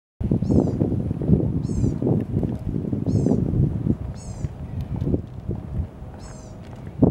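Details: A gray catbird at Mohawk Lake, Savannah, Georgia, gives five short, scratchy, high-pitched calls, one roughly every one and a half seconds, over a steady low rumble of wind or distant traffic.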